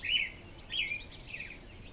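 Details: American robin singing before sunrise on a spring morning, 9 June 2014, in darkness near a mountain: short warbled, slurred whistled phrases, rising and falling, three quick phrases in two seconds over faint background hiss.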